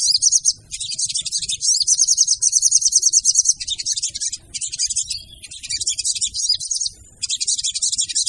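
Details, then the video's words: Female crimson sunbird (sogon) call used as a lure for trapping: dense, very high, rapid twittering and chattering in long bursts, with short pauses, repeated throughout. "PANCINGAN SOGON TER AMPUH DENGAN SUARA SOGON BETINA!!!"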